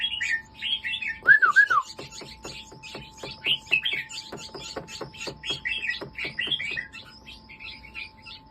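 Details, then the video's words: Competition-line red-whiskered bulbul, a pale-sooty colour crossbreed kept caged, gives one loud looping whistle, then scattered chirpy phrases over a steady train of rapid clicking taps. "ติดตองกันเรื่อยๆ ลูกผสมเผือกเขม่า สายแข่งสายเบิ้ล เทาท็อป"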